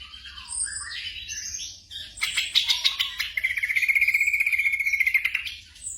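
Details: Black drongo song used to train caged birds at night. Scratchy buzzy notes lead into a long, fast, even rattling trill held at one pitch for about two seconds, over a faint low hum.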